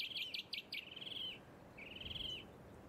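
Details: Rainbow bee-eater filmed on the Sunshine Coast, Queensland, in August 2024, giving clear, high, rolling trilled calls: a few short burry notes, then a longer purring trill, with one more trill after a brief pause.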